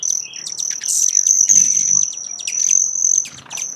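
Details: Broad-tailed hummingbird, loud and close, giving dense, sharp, high chips and twitters over a steady piercing high trill.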